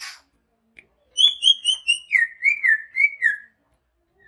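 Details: Greater green leafbird with a large body, originally from Banyuwangi, sings a string of about nine clear whistled notes that step gradually downward, with a few faint clicks around them.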